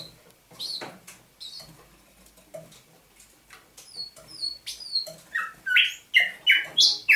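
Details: Captive thrush nightingale, caught near Saint Petersburg in May 2019, singing at dawn on 27 November 2021: sparse clicks and high whistled notes, then a run of loud, evenly repeated descending strophes around mid-pitch, about three per second near the end.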